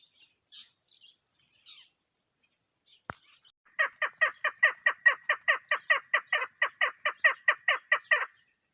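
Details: Female chukar partridge, recorded in a hunting context: soft scattered chirps and a click, then a sustained series of rasping chuck calls at a steady pace of over two per second, ending cleanly.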